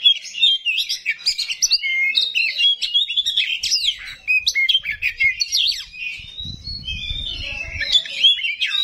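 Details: Continuous rich song from an oriental magpie-robin (kacer rawit) carrying coarse fill notes: dense chattering trills, whistled slurs and scratchy phrases, with a low rumbling noise partway through.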